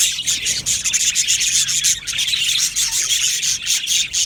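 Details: Many budgerigars in an aviary chatter without pause: a bright, hissy blend of high chirps and thin whistles, pulsing slightly in loudness.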